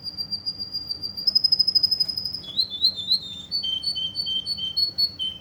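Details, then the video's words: Russian canary, recorded in Kuwait, holds a long high whistled note that breaks into rolling trills and rapidly repeated clear notes stepping between two pitches. "Russian canary from Kuwait"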